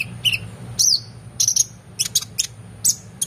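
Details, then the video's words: Oriental magpie-robin singing a varied, energetic tutor song for training competition birds: short sharp whistles and buzzy high notes in quick irregular bursts, a faint constant high tone and low hum behind. "KONIN GACOR EMOSI FULL BONGKAR ISIAN MEWAH‼️Cocok Untuk Masteran Burung Lomba"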